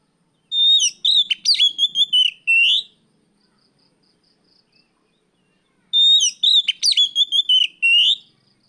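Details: Oriental magpie-robin in afternoon 'riwik plong' song, played as a lure for training birds. Two loud bursts of fast, varied whistled notes, each about two seconds long and ending in a drawn-out whistle, separated by roughly three seconds of near silence.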